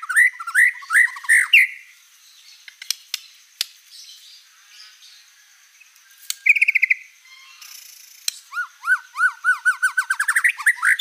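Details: White-rumped shama, described as a vigorous singer with a varied repertoire, producing repeated chirped notes, then scattered clicks, a short buzzy phrase, and a closing series of rapid repeated rising notes.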